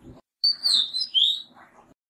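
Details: Oriental magpie robin from a nesting pair using a balcony box; a single short phrase of bright whistled notes that slide downward and then rise, ending in softer, lower chatter.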